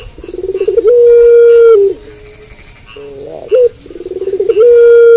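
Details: Puter pelung, a Barbary dove, cooing at night. A rapid, accelerating stutter swells into a long, even coo. After a pause and a short wavering note, the same stutter-and-coo phrase repeats.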